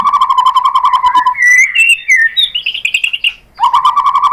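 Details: White-rumped shama singing a lure song to provoke replies from other shamas: a fast rattling trill, then rising and falling slurred whistles and a higher wavering trill, before the rattle returns.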